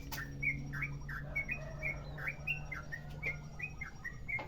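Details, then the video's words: Merapi-type sooty-headed bulbul delivering a long rolling song as a lure: bright whistled notes in a steady string, some slurring upward, over a constant low mechanical hum. "Trucukan merapi ropel panjang"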